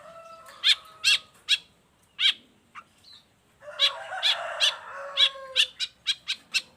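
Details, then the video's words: Long-tailed shrike song meant for master training and for luring other shrikes: spaced sharp clicking chips about two per second, a short pause, then louder chips over a mix of lower whistled tones. "Cendet gacor cocok buat masteran juga pancingan cendet lainnya"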